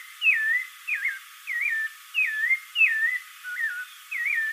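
Spectacled Thrush singing a run of short, clear whistled phrases, slurred up and down, about seven in under five seconds, with no other sounds.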